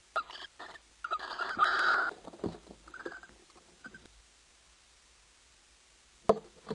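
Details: Male barn owl in a nestbox in the Netherlands at 0:15 AM on 13 March 2010 stomps his feet and gives one harsh, hissing screech under a second before mating. Dull foot-stomp thumps, then a sharp knock near the end.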